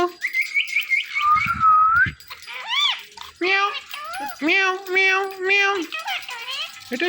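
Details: Indian ringneck parakeets, a pet male and female pair, making natural sounds and voices indoors: a run of quick whistled notes, a gliding whistle, then harmonic talking-like squawks and drawn-out nasal tones imitating speech.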